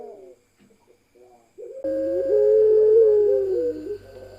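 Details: Pelung ringneck doves in a group that includes one female: faint soft notes, then a loud, wavering, drawn-out coo lasting about two seconds, with a low hum in the background.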